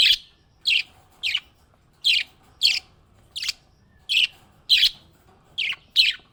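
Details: A cheerful pet budgerigar gives short, sharp, high chirps, about ten evenly spaced calls roughly every half second, in a quiet room.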